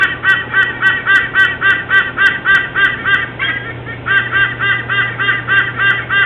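White-bellied sea eagle giving a loud, goose-like honking call, about three or four harsh notes a second in a steady run, over a faint low hum.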